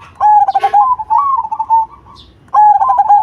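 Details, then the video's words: Zebra dove of the cemani type, a bird with a loud, big voice, singing actively: two bursts of stuttering, pulsed cooing notes, the first about two seconds long with a slight rise mid-phrase, the second starting after a short pause. "Perkutut Cemani Gacor Suara BESAR"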